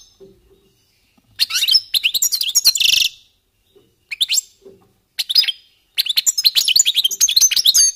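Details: European goldfinches warming up, singing in three phrases of quick, jangling twitters, the first ending in a harsh buzzy note, the last a lively tinkling run.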